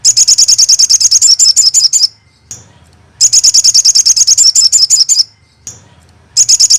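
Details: Crested jay, a training recording meant to make other crested jays respond: three dry, rapid rattling bursts of high sharp notes, each about two seconds long with brief silent gaps between.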